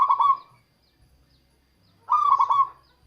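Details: Two soft, rolling coo phrases about two seconds apart from a local zebra dove, sung to attract wild doves, over a quiet low background hum.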